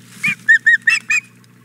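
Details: Female osprey at the Hog Island Boathouse nest, begging for the fish the male has just brought in, 4 May 2017 around 9 a.m.: five short, clear, slightly slurred chirps in a quick series about a fifth of a second apart, over a steady low hum.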